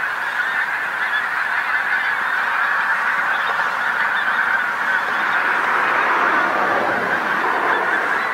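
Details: Pink-footed geese flock on a field by the coast road in North Norfolk, England, at sunset. Constant babble of shrill honks from a great many birds, swelling slightly louder toward the end.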